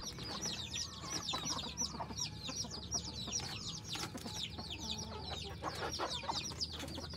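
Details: F2 hybrid junglefowl decoy fowl, a cross with bantam stock, kept in a village in Phon Thong, Roi Et, Thailand; a dense chorus of high, downward-slurred peeps from many birds, continuous and overlapping, with faint low clucking beneath.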